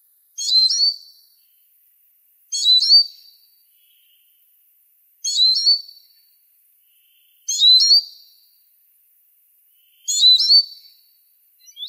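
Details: Eurasian siskin (Spinus spinus) repeating short high twittering phrases with thin whistled endings, five phrases at steady intervals of about two and a half seconds, clean and quiet otherwise.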